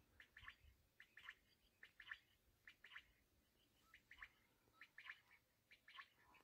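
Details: Black francolin (kala teetar) calling: faint harsh, scratchy multi-note bursts repeated about once a second, with occasional low thumps beneath.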